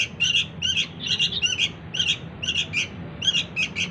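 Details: Chick of the sooty-headed bulbul begging to lure its parents: harsh, squawky high chirps in quick pairs and triplets, about three per second, over faint low hum.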